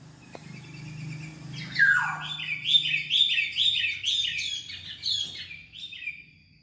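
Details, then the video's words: Black-naped oriole, known as kepodang, heard in gacor singing: a falling slur, then a quick string of about eight high, nasal, evenly repeated notes over a steady low background hum. "Burung Kepodang Super Gacor"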